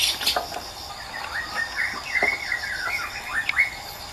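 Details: Wild white-rumped shama giving a melodious song: a run of softer, mid-pitched whistled notes and short slurs, some sharper accents, heard at moderate distance.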